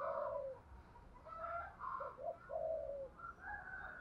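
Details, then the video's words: Female spotted dove calling to attract males: soft, low hollow coos, a longer note, then short quick coos and a drawn-out final coo, heard quietly over a faint background rumble. "chim cu gáy MÁI kích trống hiệu quả, chim cu gáy mái gáy gọi chim trống nghe là gáy luân"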